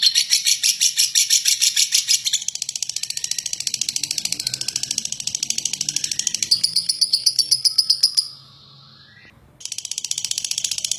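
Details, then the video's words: Lovebird ngekek, a long coarse chatter used to stir other lovebirds into song. Quick harsh high pulses run for about eight seconds, break off into near silence, then resume briefly. "Love Bird Ngeklek Panjang Kasar !!! Pemancing Love Bird"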